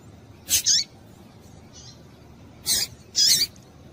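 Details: Excitement call of a female Double-collared seedeater, meant to make males sing: a high chirp with a falling tail, a faint note, then a quick pair of bright, buzzy chips.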